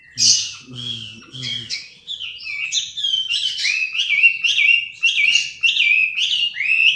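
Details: Chinese hwamei song: a brief low voice-like murmur in the first two seconds, then a rich run of clear whistled phrases, each slurring up and down, repeating quickly and varying in pitch.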